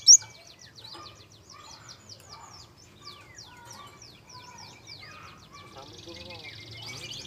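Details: Java sparrow, soft lure song used to draw out singing from young birds: one loud high chip, then a long, quiet, continuous stream of fast twittering and clicking notes with faint lower warbles.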